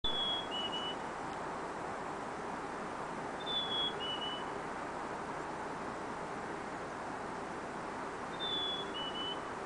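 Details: Black-capped chickadee singing at Bassett Creek around 8 am on March 6, 2013; clear two-note whistle, the first note higher and the second lower, repeated three times about four seconds apart over a steady roar of traffic.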